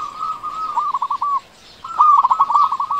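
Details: Local zebra dove in full song, a lure for slow-calling doves: a sustained coo trailing into short stuttered notes, a brief pause, then a louder run of rapid bubbling coos.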